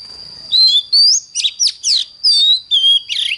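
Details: Oriental magpie-robin singing in the morning: a rapid run of clear, varied whistled notes, rising and falling slurs and short twittery bursts packed into about three seconds, with a steady high thin tone running underneath throughout.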